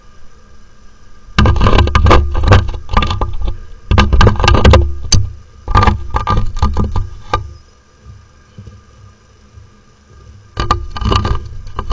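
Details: Loud bursts of thumping, knocking and scraping noise separated by quieter gaps, with no animal voice heard.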